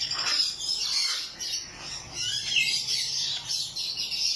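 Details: A pair of blue monk parakeets (Myiopsitta monachus) gives harsh, scratchy, high-pitched chatter in quick, overlapping, nearly continuous bursts, with sharper squawks breaking through now and then.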